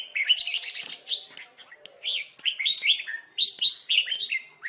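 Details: Red-whiskered bulbul caught in a trap, singing in a fight: continuous rapid warbled and whistled phrases with sharp chirps, dense and lively throughout.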